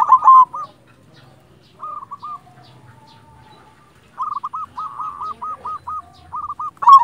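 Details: Zebra dove (perkutut), silver-coloured local bird singing actively: an opening loud burst, then runs of short, hooked, same-pitched coos in quick series, pausing and resuming, ending with another loud burst.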